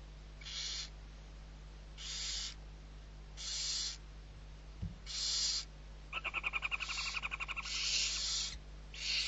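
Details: Six barn owl chicks being fed in Riet Vell reserve, Ebro delta, Spain, 21-11-23; steady rasping hisses repeating about every one and a half seconds, broken by a fast, rattling burst of chatter.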